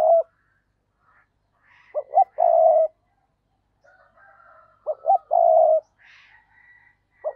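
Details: Decoy spotted dove cooing to lure other doves: two deep hooting phrases, each with quick short lead notes and then a long, throbbing coo, separated by about three seconds of quiet, with faint higher chirps between.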